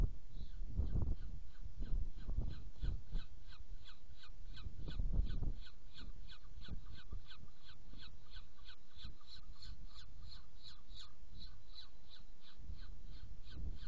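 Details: Saker falcon in Hungary on 7 May 2017, feeding, keeps up a long, even series of short scratchy calls, roughly three per second, for nearly fourteen seconds. Gusts of low rumbling noise swell at intervals.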